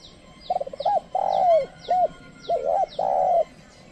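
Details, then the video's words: A trained decoy spotted dove calls to attract wild birds, which will not approach. Quick stuttering notes run into a long, slightly falling coo, then short paired coos and another long steady note. Thin high chirps repeat in the background. "pikat tekukur ajaran memanggil burung liar"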